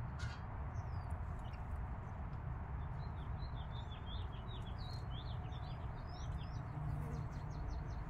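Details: Mother hen with her five-day-old chicks: a dense, continuous stream of rapid high-pitched cheeping, many chicks overlapping, steady low hum underneath.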